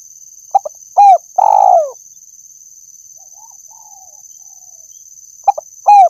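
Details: Spotted dove cooing as a decoy sound for catching birds: clipped notes building into a long trembling coo that falls away, then a pause, then another pair of short notes, over a persistent high electronic hum.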